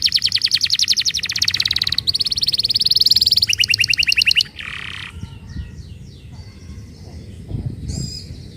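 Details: Canary song meant to prompt other canaries into song: long fast high trills for about four seconds, then quieter scattered notes with background noise.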